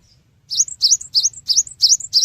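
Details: Six strong, ringing, high slurred notes in quick regular succession from a Cinereous tit, a lure song played so other birds respond fast; a faint low hum runs beneath.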